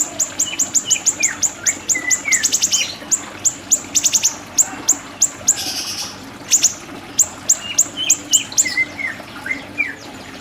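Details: Siri-siri bird song used as a tutor recording: long runs of sharp, high, downward-flicking ticks repeated several times a second, with brief rapid trills and lower whistled slurs between phrases.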